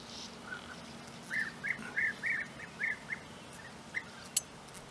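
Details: European bee-eater near its nesting burrows in the flat open countryside of Puszta Eldorado. A quick series of about eight rolling, burry, mid-pitched notes, then two more spaced notes, with a sharp click near the end over quiet outdoor background.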